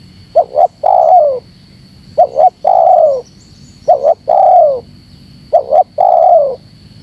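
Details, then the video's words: Provocation call of a spotted dove used against wild doves. Four rapid phrases follow, each twin brief notes then a longer descending coo, spaced roughly every one and a half to two seconds, with a steady high-pitched whine behind. "Suara Terkukur Menekan Rapat Lawan Pemancing EMOSI Terkukur liar"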